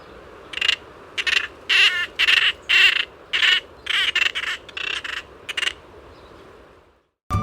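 A Lesser Noddy gives harsh, rattling, high-pitched notes in about a dozen short bursts at a steady pace, then falls silent, with faint background hiss.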